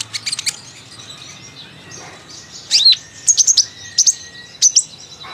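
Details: Sunbird singing a chattering ceriwis song with fill-ins: a quick burst of high ticks, a quiet gap, then loud sharp high-pitched chips and short slurred notes in uneven groups.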